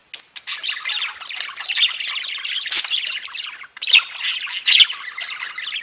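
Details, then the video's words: Several pet budgerigars singing together: continuous overlapping chatter of scratchy chirps and squawks with a few sharp clicks, hardly pausing. "Веселое пение волнистых попугайчиков / Funny singing of wavy parrots"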